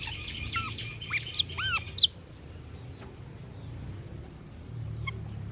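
Asian glossy starling giving a quick two-second burst of squeaky whistles and arched, ringing chirps, then a single faint note, over a low steady rumble.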